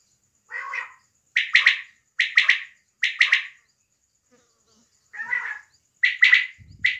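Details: Female quail (batair) from a small-hunting setting in Pakistan, giving repeated bursts of two or three bright, scratchy chirps about once a second, with a pause midway and one lower, hoarser burst; a faint low thump near the end.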